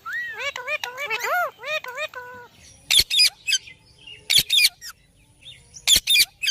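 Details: A ringneck parrot gives a quick series of rising, arched harmonic notes, then sharp, shrill squawks repeated in short bursts with brief pauses.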